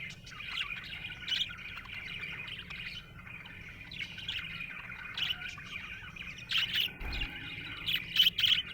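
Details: A happy budgie chattering: fast, uneven stream of thin chirps and twittering warbles, punctuated near the end by a few louder sharp tweets, with a soft steady hum underneath.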